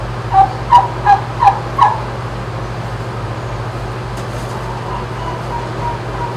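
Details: Rescued turkeys in a barn at a farm sanctuary in Upstate New York, at dawn around 5:30 on 19 July 2018. Five short, yelping calls come in quick succession, then fainter calls over a steady low machine hum.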